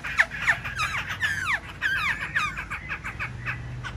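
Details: A caged black-throated laughingthrush, displaying with fanned wings and tail, sings a quick series of loud, ringing down-slurred whistles, several notes each second, sharp and varied in pitch.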